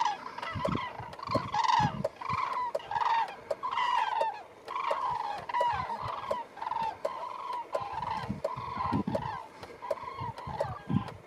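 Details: A flock of common cranes around Peñahueca lagoon on 7 January 2022 gives loud, rolling trumpeting calls that overlap almost nonstop in rapid bursts, with occasional low rustling or wind noise.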